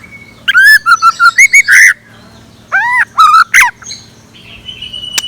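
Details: Scarlet minivet used as a decoy, singing in the morning: two quick runs of loud, clipped whistles, each note rising or swooping, followed by a thin, softer high note.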